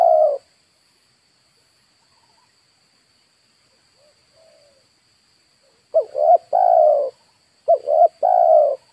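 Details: Spotted dove used to lure wild birds. After the tail of one coo comes a long quiet gap, then two rapid cooing phrases of short double notes ending in a sustained coo. A faint steady hum is heard throughout.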